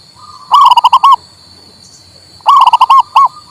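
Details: Zebra dove, local male, song for coaxing a mute bird: two loud phrases two seconds apart, each a quick series of rolling, pulsed coos ending in a longer drawn note, with a faint constant whine.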